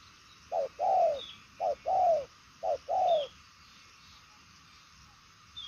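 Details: Purple-legged 'đồng son' spotted dove cooing well. Three evenly spaced pairs: a brief clipped note, then a drawn-out falling coo. Faint distant bird chirps above.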